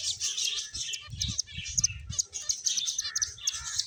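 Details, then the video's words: Playful finches keep up rapid, high-pitched chirps in quick overlapping bursts, with scattered sharp tweets standing out above the chatter and soft low rustling or hopping thumps in the background. "Cute Birds Chirping Sounds | Beautiful Finches Playing"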